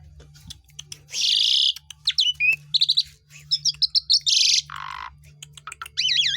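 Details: Asian pied starling song used to stimulate other birds to sing: a varied mix of harsh buzzy bursts, sharp chips and wavering whistles, with a low steady hum underneath.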